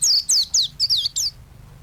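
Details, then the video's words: Short burst of white-eye song, kept for training other songbirds: five quick high downslurred whistled notes in under one and a half seconds, then quiet. "Burung pleci gacor untuk masteran burung"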